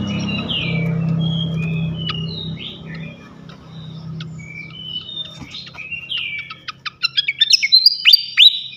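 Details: Flycatcher song played to provoke other flycatchers. Short, separated whistles and slurred notes over a low hum. It ends in a quickening run of loud, sharp chirps.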